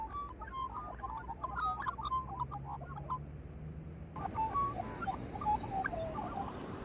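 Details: Magpies singing a busy warbled phrase of short whistled notes, with a steady low hum underneath, then a second run of softer bubbling notes over louder background noise.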